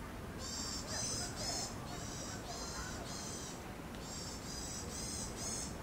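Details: Eurasian sparrowhawk, one of a pair seen mating in mid-April 2021 that later failed to breed, gives a steady series of about ten harsh, high, drawn-out notes, roughly two a second, over low wind or distant traffic rumble.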